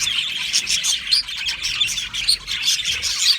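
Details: Aviary flock of Australian budgies chattering steadily: bright, rapid, high twittering notes overlap, with a few clearer squeaky whistles standing out above the chorus.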